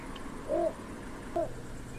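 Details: Two short, low, muffled croaks from a little bittern, the second quieter, under a second apart, set against faint steady hiss.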